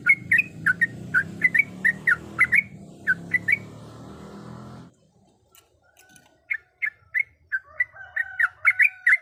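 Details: Female yellow-vented bulbul in heat calling a male: bursts of short bubbly chirps, then a near-silent pause of about two seconds before the chirping resumes. A low rumbling background fills the first half.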